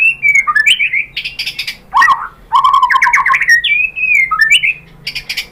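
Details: White-rumped shama, used to prompt other shamas to sing, giving bright whistled slurs broken by harsh buzzy chatter and rattling bursts, with short gaps between the phrases.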